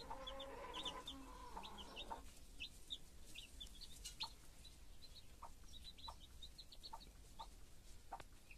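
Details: Chicks with a foster mother hen. A drawn-out, harmonic hen vocalisation opens, then sparse high peeps and occasional short clucks follow.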